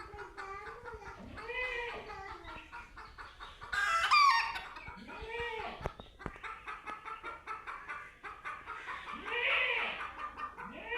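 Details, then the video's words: Chicken meeting a cat for the first time, giving a steady run of rapid clucks broken by a sharp, loud squawk and later rising and falling cackles. "Chicken Sounds"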